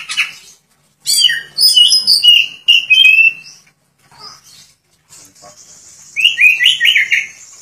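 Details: Oriental magpie-robin singing hard while opening its tail wide. Bright whistled and trilled phrases come in bursts separated by quiet gaps, ending with a series of short rising whistles.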